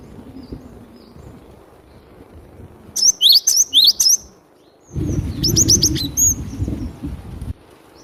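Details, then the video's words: Java sparrow, glatik batu, lively singing used as a lure: a phrase of five bright, high chirps, a short gap, then softer chirps and a drawn note over a rumbling background. "Suara glatik batu gacor buat pikat pasti dapat"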